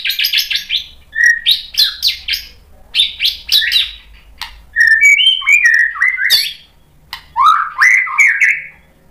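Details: White-rumped shama in full song, a varied run of loud whistled phrases and sharp chirps, rising and falling notes packed closely with short pauses, slurred whistles dominating the latter half; faint low hum beneath.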